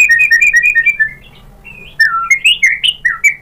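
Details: White-rumped shama lure song, meant to provoke other birds into answering and singing: runs of clear whistled notes falling and rising quickly, a pause, then louder varied whistles climbing and dropping in rapid bursts.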